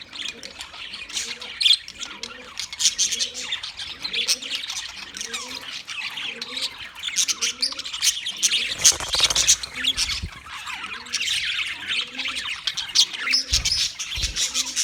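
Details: Wild budgerigars chatter continuously in high, scratchy twitters and warbles, while a soft, low cooing phrase repeats steadily underneath throughout; a short louder burst of noise comes near the middle.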